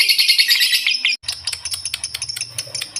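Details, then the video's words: Lovebird chattering in ngekek style: rapid, high, buzzy twitter that breaks off briefly, then resumes as sharper separate chirps over a faint low hum. "LOVE BIRD NGEKEK MENTIL"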